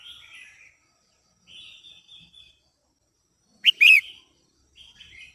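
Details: Female red-whiskered bulbul sings to excite a male and aid pairing: brief whistled phrases with gaps of silence between, then one loud sharp chirp that rises and falls, followed by another short whistled phrase.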